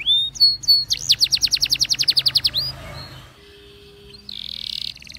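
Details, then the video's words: Training song of a Belgian canary: a rising whistle, then a long even series of bright falling notes at about four per second, fading into a soft pause before a short buzzy trill. "The Best Belgian Canary Sound For Training!!!"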